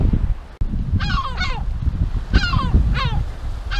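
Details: Yellow-legged gull defending its breeding colony at the Illas Estelas, Nigrán, Galicia, uttering harsh, descending yelping calls in pairs, four in quick succession, over strong low wind rumble.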